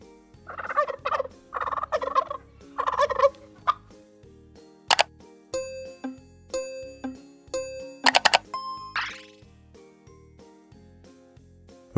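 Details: Turkey gobbling on a farm: three quick rattling, throaty bursts in the first few seconds, then jingling, chiming children's music with bright tones and a rising sweep.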